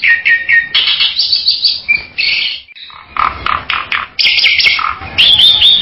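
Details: Bali myna giving a rapid series of loud, harsh chattering and whistled notes, bursts following one another with brief pauses.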